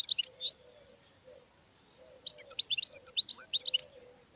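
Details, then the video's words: Goldfinch singing in short bursts: a few sharp high twitters, a gap, then a rapid jumble of liquid, tinkling notes over a faint low hum. "Goldfinches(carduelis) Amazing Singing Compilation"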